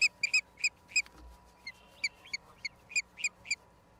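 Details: Nest-cam recording of an osprey in Charlo, Montana, USA, April 26, 2022: short high whistled yelps in quick succession, a brief pause near the middle, then the chirping resumes over faint hum.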